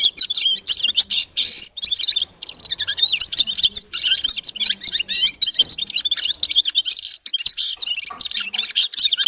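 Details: Long, rambling song of the red-fronted serin (G'ir-G'ir): energetic, high-pitched twitters and trills pour out in near-continuous phrases with only a few short breaks.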